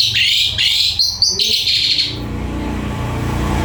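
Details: Javan pied starling, a kept songbird in Indonesia, giving loud clear whistled notes that rise and step upward over two seconds. Low hum and background noise continue after the song stops.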